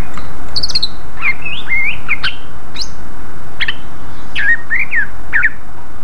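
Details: Greater green leafbird singing in the lively, open ngeplong style, used as a lure to draw replies from other leafbirds: quick sharp chirps and short slurred whistles, rising and falling, over a steady loud hiss.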